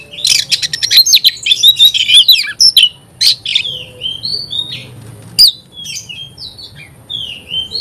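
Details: An Oriental magpie-robin in full song. Rapid scratchy chatter gives way to clear, separate whistles, some falling and some level, spaced about half a second apart.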